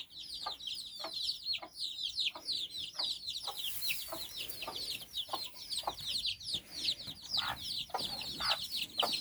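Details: Mother hen and her nine chicks walking in Bizkaia, Basque Country; a busy chorus of high, falling chick peeps fills the recording while the hen gives short, quiet clucks at a steady pace.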